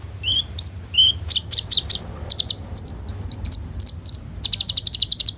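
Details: Captive Van Hasselt's sunbird in lively song for luring others: lower whistled slurs, sharp high chips, soft twittering squeaks, then a fast even trill of shrill notes near the end.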